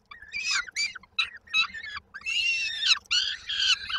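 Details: Peregrine falcon young at Koszalin, Poland, 19 May 2022, calling while they wait for the mother to arrive with dinner: short rasping screeches in uneven bursts, then longer drawn-out harsh wails.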